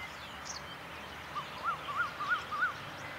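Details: Eurasian wryneck, a winter migrant in Thailand, recorded on January 31, 2015 at Sansainoi, Sansai, Chiang Mai; a run of five short rising-falling nasal notes, evenly spaced about three per second, over steady background hiss and distant traffic hum.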